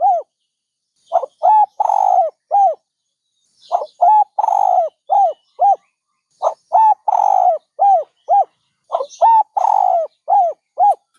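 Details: Dove cooing repeatedly in four phrases, each a series of short arched hoots around a longer rough coo, about two phrases every five seconds. Faint chirping of other birds.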